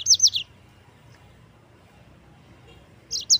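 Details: Yellow-fronted canary, recorded as a training song for white-eyes, gives a short trill of three or four high, rapidly repeated notes, a long quiet gap over low background hum, then another brief note pair.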